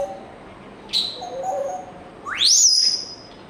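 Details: African grey parrot whistling: a short pinched high note, then a loud pure whistle climbing sharply upward and holding a long high tone before fading.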